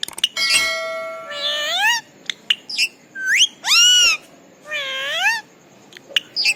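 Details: A pet rose-ringed (ringneck) parakeet talking: a handful of nasal, harmonic word-like phrases, some sliding upward and some arched, mixed with sharp squeaks and clicks.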